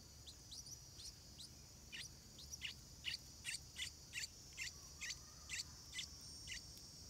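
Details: Stripe-throated bulbul chicks near their first flight, fed by their mother, give a quick series of short sharp chirps, about two per second, over a steady high insect drone.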